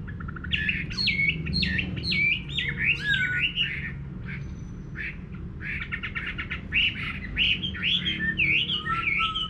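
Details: Countryside garden song of a Chinese hwamei: bursts of loud, varied whistled and slurred phrases, some harsher and buzzier, broken by a short quiet gap midway before the singing resumes energetically.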